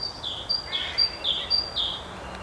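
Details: Great tit singing in Hainault Forest woodland east of London on a fine, chilly mid-April morning: a two-note 'teacher teacher', a high whistle dropping to a lower note, repeated about every half second over quiet hiss.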